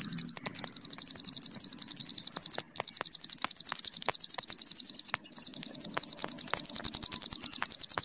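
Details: Long 'bren' trill of a Hill prinia, very fast high pulses running almost continuously with two tiny breaks, faint hum below.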